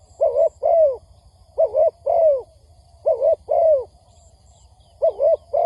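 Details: Spotted dove cooing on a lure recording meant to attract wild birds for trapping: pairs of soft hollow notes, the second curving down, repeated about every 1.5 seconds over a quiet hum with occasional faint high beeps.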